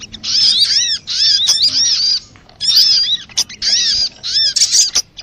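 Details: Crimson sunbird lure recording intended to set sunbirds singing: noisy twittering bursts of high, slurred chirps around a second long, separated by quiet gaps.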